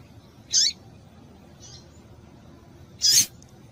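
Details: Female rusty-collared seedeater call meant to stir males into singing; two brief, bright, high-pitched chips about two and a half seconds apart, with a faint softer note between them and steady low hiss behind.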